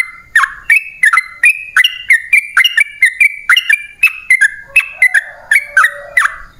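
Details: Lure song of a yellow-vented bulbul, meant to draw wild birds into replying: a continuous string of liquid, gurgling whistled phrases, each a quick upward-then-downward flick, tumbling on for several seconds with lower warbles near the end.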